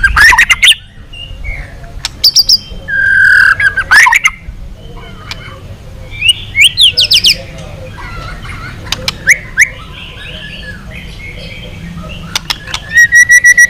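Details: White-rumped shama long song played to stir rival shamas: scattered loud whistled phrases, sharp clicks and soft chattering notes spread through a quiet background, ending in a rapid ringing trill.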